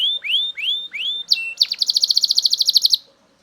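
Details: Belgian canary singing at close range: three rising whistled slurs, then a short level note and a rapid metallic trill of about fifteen even pulses before silence.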